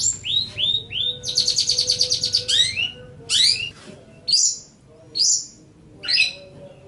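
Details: Long-tailed shrike, known locally as cendet or pentet, in a master song recording for training songbirds: sweet rising whistles, then a dense buzzy rattling trill, followed by short sharp chattering bursts spaced about a second apart.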